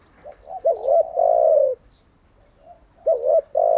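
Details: Decoy spotted dove for training captive doves: a hooked double coo leading into a long drawn-out low note, a pause, then the phrase beginning again.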